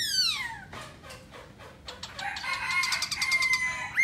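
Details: Black laughingthrush singing while dancing. A long descending harmonic whistle is followed by soft clicking notes, then a dense chatter of rapid high notes over a steady whistled tone.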